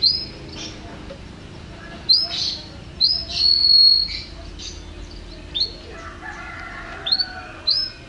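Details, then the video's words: Yellow canary giving sparse, clear upswept whistled notes separated by pauses, one held steady whistle in the middle, and a soft lower warble near the end; the room is otherwise quiet. "Yellow Canary Bird"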